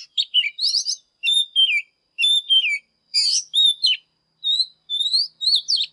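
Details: Oriental magpie-robin singing in the morning, a rich run of clear whistled phrases, rising and falling slurs with buzzy notes between, delivered in short bursts about once a second with brief pauses; no other sounds.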